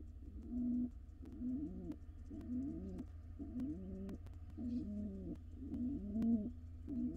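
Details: Wild pigeons courting as a pair in a nest box; a continuous run of deep, gurgling coos, about seven looping phrases in quick succession, accompanied by low hum and occasional clicks.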